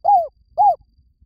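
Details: Lure spotted dove uttering a pair of soft, low, downslurred hooting coos about half a second apart; the background is nearly silent apart from faint low rumble.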